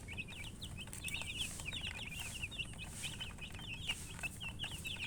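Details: Young chicken chicks calling together, a steady stream of bright, short high-pitched chirps, many slurred downward, packed close with no pauses, over low rumbling background.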